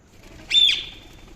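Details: Indian ringneck parakeet giving a single loud, high, slightly raspy chirp that starts abruptly and trails off with a falling sweep, against a quiet background.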